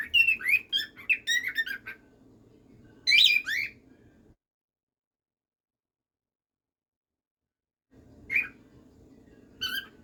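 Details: Domestic cockatiel warbling a rapid string of twisting whistled notes, then a louder burst. A silent gap follows before more scattered whistles.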